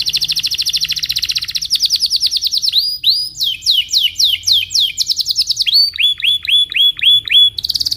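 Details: Belgian canary singing in the morning to teach young canaries: a rapid buzzy trill giving way to repeated falling sweeps, then a series of evenly spaced upswept whistles and a final trill.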